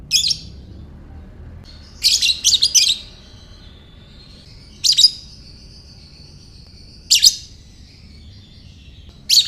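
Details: A lovebird's ngekek chatter, used to coax other lovebirds to call: raspy bursts, one run of three quick rattles, separated by long thin whistled tones drawn out between calls.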